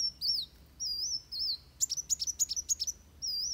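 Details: Fighting song from Van Hasselt's sunbird, meant for training birds: high slurred whistles, then a fast rattle of about seven sharp, high ticking notes, ending in another thin whistle.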